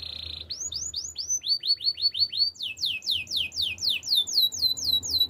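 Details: Canary training song: a buzzy opening note, then long series of clear whistled sweeps, first low and even, then higher and faster, falling notes repeated about twice a second.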